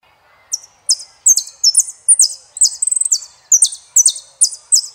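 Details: Argentine saffron finch singing: a string of bright, high, sharply downslurred notes in quick paired bursts, with a brief rapid stutter trill in the middle, against a quiet background.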